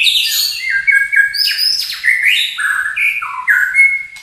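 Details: Murai batu of the Lampung or Borneo type, used as a long morning training song: a rich run of varied whistled phrases, sliding and stepping between high and middle pitches, with sharp emphatic notes between them.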